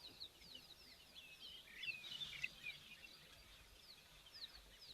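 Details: Migratory European bee-eaters, arrived for the rainy season, fly overhead giving soft, rolling, liquid trills, many overlapping calls in a steady stream, over faint background hiss.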